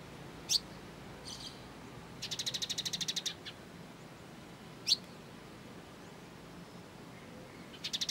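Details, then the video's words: Training material of the kolibri ninja sunbird: isolated sharp, rising chirps, a brief buzzy note, and a fast trill of evenly repeated high notes, with another trill starting at the end. "MASTERAN BURUNG KOLIBRI NINJA MEWAH"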